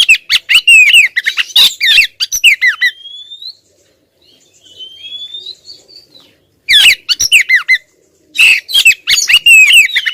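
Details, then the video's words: A female Oriental magpie-robin insistently calls toward the male. Loud bursts of clipped chirps and down-slurred notes frame a quieter middle stretch of thin rising whistles. "suara kacer betina ngotot bikin si jantan konslet"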